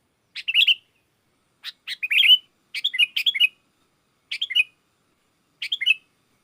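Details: Sooty-headed bulbul singing gacor to lure wild bulbuls, which answer; brief chattering phrases of two to five bubbly notes, repeated at uneven intervals of one to one and a half seconds, with no other sounds.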